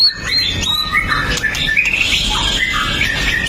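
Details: White-rumped shama, locally murai batu, 'pastol' style with sharp 'tembakan' bursts, recorded on a Xiaomi Note 8 Pro to provoke other males: rapid jumbled high chirps and warbles with a constant low rumble beneath.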